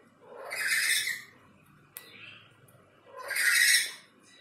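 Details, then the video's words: Pet black-capped lory behind a window giving two drawn-out harsh screeching calls separated by a short click and a brief softer note. "BERKICAU DIBALIK JENDELA, BURUNG NURI KEPALA HITAM MERAH MAUNYA BERKICAU TERUS"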